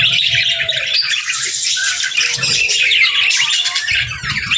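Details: Pairs of budgerigars chatter to each other in loud, continuous high twittering and squeaky warbles, with occasional soft low knocks.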